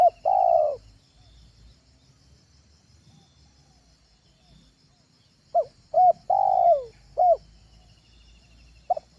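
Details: Spotted dove used as a lure call for trapping birds at home: two coo phrases, each a short note, a clipped note and a longer falling coo around mid pitch, separated by a quiet pause; faint steady hum beneath.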